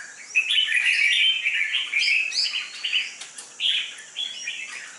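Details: A competition-trained red-whiskered bulbul with a dark bib and fierce fighting temperament sings quick, bright warbling phrases of short slurred notes in bursts, with slight background hiss.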